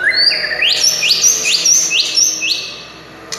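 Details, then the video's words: White-rumped shama singing to provoke other shamas to sing: a rapid series of bright rising whistled slurs repeated about twice a second, each ending in a high sharp note, fading near the end. "SUARA kicau MURAI INI Buat semua jenis murai gacor,buat Murai DIAM Langsung NYAUT"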